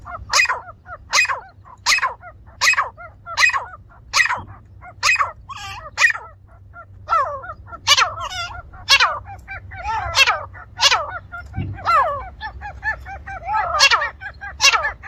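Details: Grey francolin (teetar) in a village: a long, rhythmic series of loud, harsh calls spaced about half a second apart. The pace loosens midway into busier, overlapping phrases, over a steady low hum.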